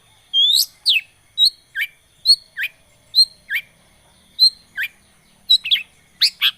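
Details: Long-tailed shrike, or cendet, lure recording to start a silent bird singing: a mix of whistled slurs, sharp upward-flicking chirps and short squeaks, spaced irregularly, with a louder drawn-out note near the start.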